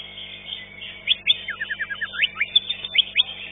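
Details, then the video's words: Green leafbird competing in a song contest, ranked fifth: high chirps lead into a descending sequence of about six short whistled notes, then more crisp chips, over a soft chorus of other birds. "JUARA 5 CUCAK IJO"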